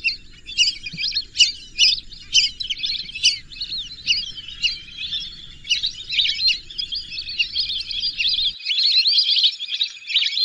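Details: Sharp, separate whistles from lesser whistling ducks open the sequence, then merge into a continuous high, warbling chatter from many birds.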